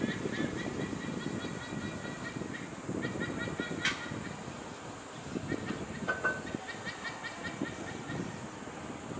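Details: White-bellied sea eagle calls in Singapore on the afternoon of 29 April 2023, while both parents bring food to 9-week-old chicks: short, nasal, goose-like notes in quick runs over a low rumble of wind or distant traffic.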